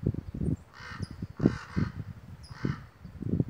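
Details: A pair of noisy crows calling from misty mountain redwoods, probably stirred by a hawk perched in the trees; four rough, hoarse caws, two close together, over a steady low rumble of wind.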